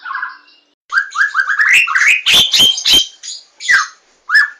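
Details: White-rumped shama singing as a lure to get birds singing: rising whistled notes repeated about every quarter second, broken by loud sharp clicking chacks and a final whistle.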